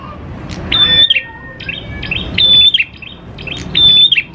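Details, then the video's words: Prinia lure song, the prenjak klawu type: three phrases, each a clear flat whistle with a short downward flick, spaced about 1.5 seconds apart, with faint lower tones and ticking notes. "PANCINGAN PRENJAK KLAWU GACOR, NGALUN BIKIN PRENJAK CEPAT BUNYI"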